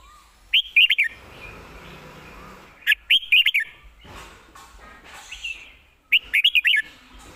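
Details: Caged red-whiskered bulbul singing three brisk phrases of bright, looping whistles, each phrase roughly half a second to a second long and repeated every two to three seconds, with softer chirps from other birds between.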